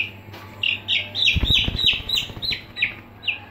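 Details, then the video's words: Aseel chicks kept in a brooder peep in quick high chirps, about three per second, with brief low thumping knocks in the middle and a steady background hum. "Aseel Chicks In Brooder"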